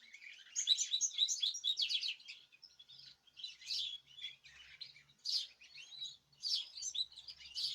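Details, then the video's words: Group of caged birds singing together, recorded 14 March 2026: a busy mix of high, overlapping chirps and twittering phrases in short bursts, separated by brief pauses. "تغريد جماعي للطيور"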